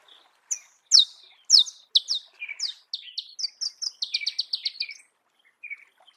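A Marico sunbird sings a rapid, high twittering song of sharp chips and thin trills that speeds into a buzzy run, with no other sounds.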